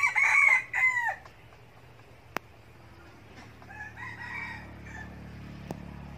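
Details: A red junglefowl decoy bird from Bình Phước, Vietnam, that had escaped, following the call of love, gives a short, hoarse, clipped crow, then a fainter answering crow a few seconds later, with a couple of sharp clicks between.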